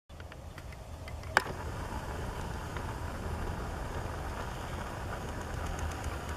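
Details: Steady broadband hiss and low rumble are heard with one sharp click near the start, and no animal calls.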